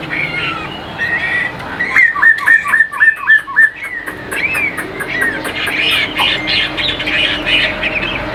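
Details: A caged Vietnamese Chinese hwamei, said to sing well, opens with warbled whistles, then repeats one crisp note about seven times in quick succession before breaking into a dense, varied whistled song.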